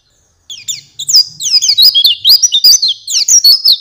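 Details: Master song of an Oriental white-eye for tutoring songbirds: a brief silence, then a dense burst of bright, high chirps and quick slurred whistles tumbling rapidly together.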